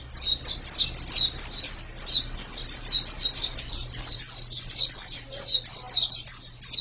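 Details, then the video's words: Continuous chattering white-eye song: dozens of high, thin notes each sliding downward, repeated several per second in even pulses over a low mechanical hum. "Ini pasti pleci yang sangat super itu kicaunya"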